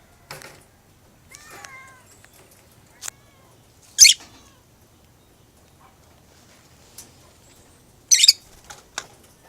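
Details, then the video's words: Lovebird giving short, shrill, harsh screeches, two loud bursts about four seconds apart with fainter chirps between them, set against quiet indoor background. "Love bird"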